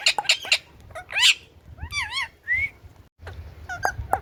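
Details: Indian ringneck parrot making a varied mix of clicks, a harsh burst, wavy warbling whistles and a rising squeak, ending with sharp short chirps.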